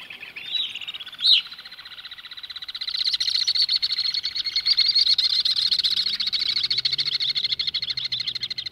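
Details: In August 2018, an Alpine swift in flight above Dubrovnik streets in Croatia gives a few sharp chirps, then a long, rapid, chattering trill that builds in loudness and carries on steadily to the end.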